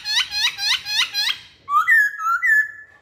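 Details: Masked laughingthrush lure song: a fast series of four or five harmonic chuckling notes, then longer whistled phrases that rise and level off in two sweeps.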